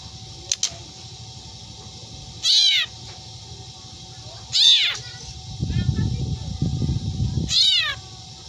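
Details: Three separate meows from a black drongo imitating a cat, each falling in pitch and about two seconds apart, with a few sharp clicks at the start and a burst of low rustling noise between the last two.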